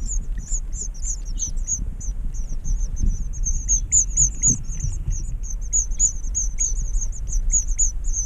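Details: Four nestlings in a nest built inside a broken light fixture beg while their father feeds them: a continuous stream of very high, thin, rapid cheeps, with low rumbling background noise.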